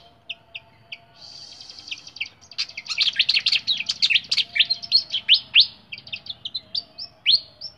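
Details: Flycatcher kept caged on a diet of small insects and banana, pouring out a dense, fast medley of high chirps and trills after a few opening notes, ending with sharp downward whistles.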